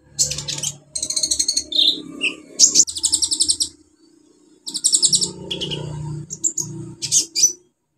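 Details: Olive-backed sunbird singing hard, used to stimulate birds that have stopped singing: dense fast trills and high chattering phrases, broken by a brief pause, over a steady low hum.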